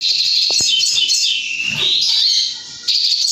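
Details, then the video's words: Caged white-rumped shama singing erratically, a dense, loud stream of high buzzy chatter and twitters with a short quieter gap near the end. "burung sogon konslet"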